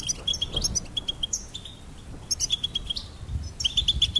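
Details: A goldfinch repeats bright, high chirps in fast, evenly spaced series, broken by brief pauses and a few sliding buzzy notes.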